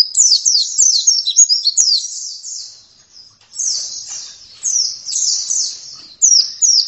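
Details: Gacor song of an oriental white-eye: bursts of fast, high, sliding twitters and trills separated by short gaps, with quieter warbled passages between the louder phrases.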